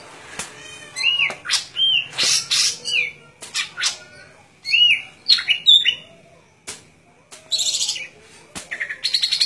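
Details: Golden-fronted leafbird singing a lively, varied song: clear whistled slurs mixed with harsh buzzy bursts and rapid chattering notes, delivered in quick irregular phrases with short pauses between them.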